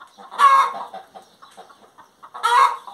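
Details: Hen song with two loud, hoarse squawks about two seconds apart and soft scattered clucks between them.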